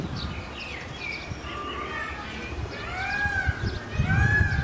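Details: Peacock calling at the zoo in Naples, Italy, with arched, drawn-out wailing notes that sweep up and down and follow one another in a short run. People are talking nearby in the background.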